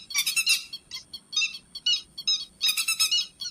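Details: Grey-headed lapwing calls for luring birds into night nets: an intense harsh rattle, then a series of shorter spaced buzzy notes, ending in another loud rattling burst, with a faint high whine.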